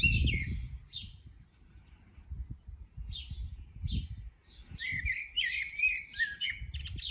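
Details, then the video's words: A common blackbird sings beautifully, with brief, scattered fluted phrases ending in high twittery flourishes that grow richer toward the end, over a low wind-like rumble. "Koltrast som sjunger vackert!"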